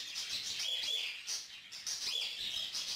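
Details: Young lutino female cockatiel, formerly hand-fed and only recently feeding herself, begging an adult male for food while he feeds her; harsh raspy bursts pulsing in quick runs with short whistled notes, pausing briefly near mid-clip.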